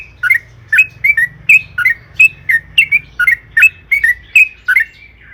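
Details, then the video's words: Sooty-headed bulbul, lure song of the long-roll type: about a dozen separate bubbly, slurred phrases spaced roughly half a second apart over a soft low hum. "suara burung trucukan gacor AMPUH EMOSI ROPEL PANJANG"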